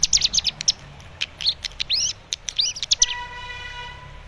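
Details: Young captive cigun learning a lure song for an untrained cigun; sharp chirps and looping slurred whistles for three seconds, followed by a steady electronic-like tone.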